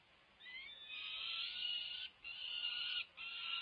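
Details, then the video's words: Peregrine falcon chicks beg at a feeding on a UC Berkeley nest ledge in May 2023, soon before fledging. A thin rising note opens, then three drawn-out hoarse screams follow, each ending abruptly. "Annie faces feeding frenzies ~ a day in the life of 5+ week-old chicks"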